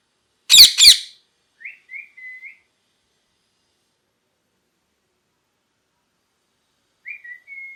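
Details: Molting pet parrot gives two loud harsh squawks in quick succession, followed by a few soft short whistled notes, a long silence, then three more quiet whistles.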